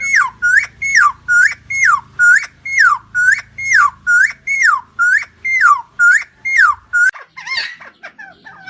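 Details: Helmeted friarbird (cucak timor) of Nusa Tenggara, from a long recording meant to lure koak kaok birds: about thirteen rhythmic, ringing notes, each dropping steeply in pitch and then holding steady, fading into softer, rougher calls.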